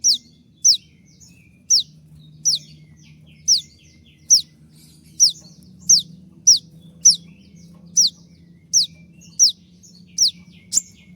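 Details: Konin, possibly molting, in a master recording for training cage birds with sharp 'tembakan' shot-like notes: high, steeply falling whistled strokes repeated about every half second, with a low steady hum underneath.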